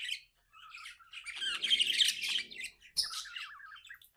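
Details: Pet budgerigar chirping happily indoors: busy warbling chatter of rapid squeaky chirps and scratchy trills, with a brief pause near the start and another before a final burst of chirps.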